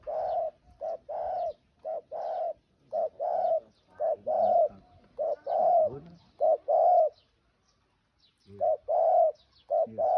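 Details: Spotted dove singing: a series of soft, low, hollow coos, mostly in pairs and short groups about a second apart, then a pause of about a second and a half before the cooing resumes.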